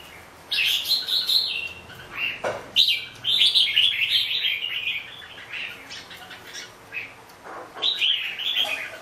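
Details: Red-whiskered bulbul delivering clear whistled phrases, several rising and falling notes strung together, one sharp lower click near the middle, pauses between bursts, faint background hum.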